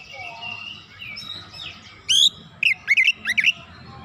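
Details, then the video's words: Energetic oriental magpie-robin song used as a lure: soft warbled phrases, then loud sharp notes and a fast string of high twisting whistles in the last two seconds, over low background hum. "PANCINGAN KACER LANGSUNG GREGET GACOR BONGKAR ISIAN"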